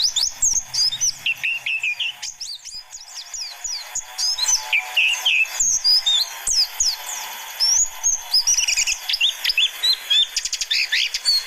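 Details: Excited white-eye song played to lure young wild birds: a long, busy stream of high chirps, trills and slurred whistles in rapid bursts, with varied phrases over about eleven seconds.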